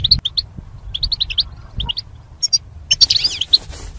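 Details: Singing-training recording of caged goldfinch pairs: a string of crisp, high chirps, then a brief gap and a fuller, scratchy rush of notes, with a low thud at the start.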